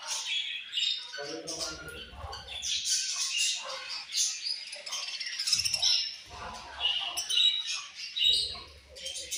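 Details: Several Australian budgies chirp continuously, a busy stream of high warbles, squeaky twitters and short scratchy notes overlapping throughout, with a few low knocks mid-clip.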